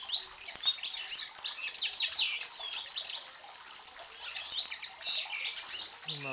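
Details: A European Goldfinch sings from high up near Sarajevo in May 2011, a fast, tinkling run of high twittering and sliding notes without pause; a man's voice begins right at the end.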